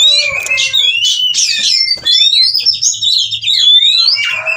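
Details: Oriental magpie-robin in breeding condition, singing loudly: a dense stream of high, varied whistles, sharp chirps and rapid trilled phrases with slurred rising and falling notes, almost without pause.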